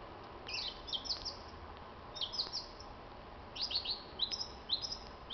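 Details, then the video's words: Evening song of a common blackbird in spring, recorded 26 March 2010. Thin, high, chirping notes come in short clusters, with a quiet gap of about a second between groups. Low steady background noise throughout. "Wieczorny koncert Młodego Boskiego, czyli niezwykłego śpiewaka - kosa"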